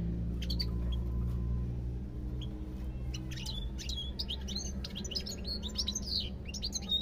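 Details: Song of a European goldfinch, starting with scattered thin chirps and building into a dense, fast, tinkling twitter of high notes near the end, with a constant low background drone.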